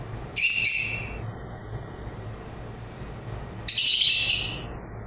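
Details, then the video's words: Lovebird chirping in two harsh, shrill bursts about three seconds apart, each a rapid cluster of high, buzzy notes lasting nearly a second, separated by near silence and a low steady hum. "LOVE BIRDS CHIRPING SOUNDS"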